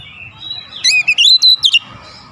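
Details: Oriental magpie-robin giving a single short burst of lure song, a quick string of bright, looping whistled notes over a faint hum.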